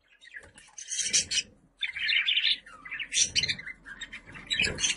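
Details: Budgerigar warbling in dense, raspy, chattering phrases that rise and fall, over a steady low rumbling background.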